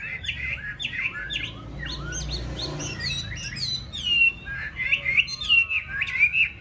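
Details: Caged yellow-billed Chinese hwamei kept at a home in Vietnam, singing a varied run of loud, clear whistled phrases: rising and falling slurs, quick upturned notes and sweeping trills, delivered in irregular bursts with little pause.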